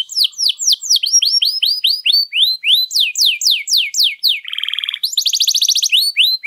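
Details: Canary in full, long song used as a lure or tutor for other birds: rapid trills of downward-sweeping whistled notes, then a buzzy rattling passage and a fast high metallic trill, all very loud and continuous.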